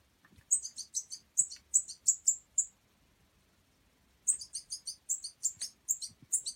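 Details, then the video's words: Young European goldfinch, a fledgling fed by hand in bird aid care, calls in two bursts of rapid high squeaky chirps separated by a pause of nearly two seconds, with faint handling sounds. "طريقة رائعة في إطعام صغار الحسون"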